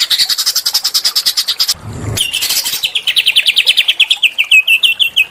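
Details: Small bird played to provoke a caged Oriental magpie-robin: fast, even series of clipped, high notes repeated several times a second, a brief low rumble, then a slightly lower, descending run of rapid chips.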